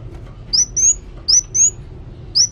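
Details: Short, piercing high whistles from an actively singing kolibri wulung sunbird, given in quick pairs with brief pauses, against a quiet low background.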